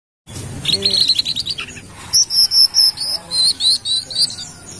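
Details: Brown-throated sunbird from Kalimantan, singing vigorously, used as a lure sound: a fast buzzy trill of high notes, then a series of about ten sharp, very high whistled chirps at a steady pace.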